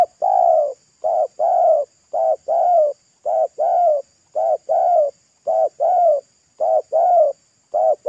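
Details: Rapid run of paired coos from a wild local spotted dove by a roadside, thick loud pesom-style voice: short note then longer note, pairs repeated steadily about once a second, no other sounds.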